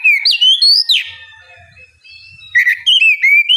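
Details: White-rumped shama song to coax a lazy bird into singing: rich slurred whistles, a long thin sustained note over faint low rumbling, then more rising and falling whistled phrases.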